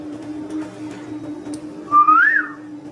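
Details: Pet Indian ringneck parakeet giving a single clear whistle that slides upward and then dips slightly, heard late in the stretch over a steady low electrical hum.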